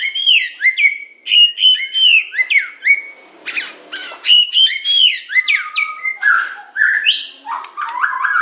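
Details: White-rumped shama of the Medan type, a masteran training song in the super pancingan, macet, tembakan and isian style: rich whistled phrases of rising and falling notes, sharp high bursts and quick slurred trills, delivered in a near-continuous stream without pause.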